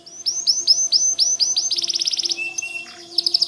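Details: White canary in energetic song: a series of sharp upward-swept chirps, then a rapid rolling trill, a brief steady whistle, and closing quick chirps. Low steady hum in the background.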